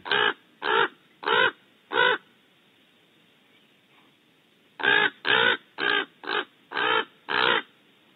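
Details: Ill-tempered raven raising a racket outside a barn owl nest cavity at Audubon Starr Ranch, California: harsh, hoarse caws, four in quick succession, a pause of nearly three seconds, then a faster run of seven more.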